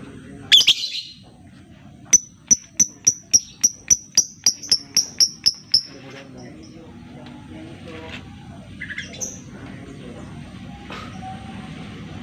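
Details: Lovebird sound used as a lure to stimulate silent lovebirds into song; a rapid series of about fourteen sharp, high ticking notes over four seconds, followed by scattered faint chirps and background noise.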